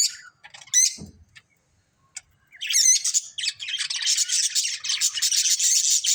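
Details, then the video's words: Colourful budgerigars in a family flock give scattered thin chirps and a dull knock, then break into continuous high, fizzy chattering warble that runs to the end. "Cute Colourful Budgies Chirping Sounds"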